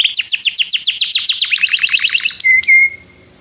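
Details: Singing Belgian canary pours out a quick stuttering tour of paired falling chirps, then a couple of loud sustained whistles before stopping.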